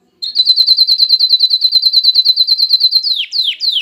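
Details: Canary song aimed at rousing females for mating and urging chicks to sing: an even, very fast high trill on one pitch lasting about three seconds, ending with two sweeping downslurred notes.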